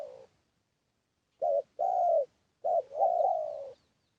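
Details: Spotted dove decoy call used for luring: low, mellow coos, a short note then a longer drawn-out one, followed by a brief note and a long wavering coo, in a quiet setting.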